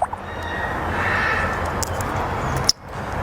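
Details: Steady broadband rumble like passing traffic with a faint hum, a few soft clicks and one sharp snap near the end; no animal voice.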